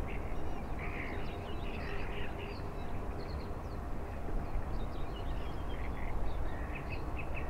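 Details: Black-headed gulls on a lake in the morning, giving short harsh squawking calls scattered through the clip from several birds, over a steady low rumble of background noise.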